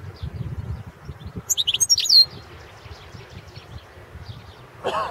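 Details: European goldfinch, subspecies carduelis balcanica, singing for an internet goldfinch song championship from Serbia; one rapid phrase of high tinkling chirps and a sliding whistle, followed by a long quiet stretch and a brief noisy burst at the end.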